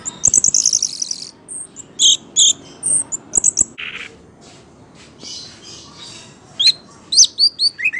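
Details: Orange-headed thrush (anis merah) singing gacor-style, swaying as if drunk while performing: bursts of high, rapid warbled phrases, scattered sharp chirps and short downslurred whistles after a quieter pause midway.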